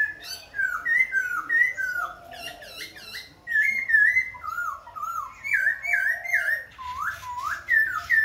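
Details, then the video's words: A Khe Sanh laughingthrush sings a continuous run of rich, varied whistled phrases, sliding up and down and changing pattern every second or so, with a faint room echo. "Khướu Khe Sanh hót múa đảo giọng liên tục"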